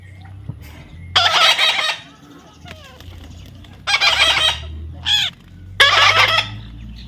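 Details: Baby parrot being hand-tamed, uttering long rasping screeches in a slow series, broken by a short nasal rising note, with a low hum beneath.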